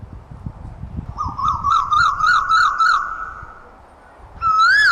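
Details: Asian koel singing: a quick run of about eight wavering, whistled notes over two seconds, each with a slight upward lilt, then a pause and one louder arched whistle rising and falling; low steady background rumble throughout.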